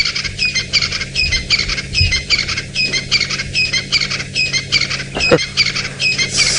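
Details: Crested francolins calling at sunrise around 6 a.m. on a chilly 4 September 2017 in Djuma Game Reserve, Sabi Sand, South Africa, giving harsh, rasping, rattled notes in a fast steady run, about one burst per second, over a low vehicle hum.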